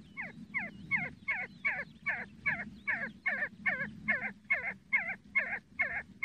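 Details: A see-see partridge repeats sharp, nasal, twisting whistled notes, about fifteen in a steady run at two to three per second, over a faint low hum in the background.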